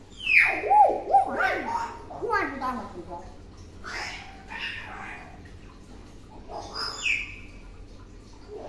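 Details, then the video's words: Tame pet common hill myna, a clever talker that imitates many words: a few bright whistled slurs open, followed by throaty, speech-like syllables and a final rising whistle, indoors with low background hum. "Beo Jinak Pintar Ngomong"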